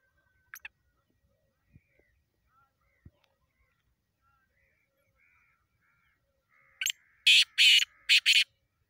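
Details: Black francolin calling after several quiet seconds with faint clicks: one short note, then a run of four harsh, grating, buzzy bursts in quick rhythm, all in the upper range.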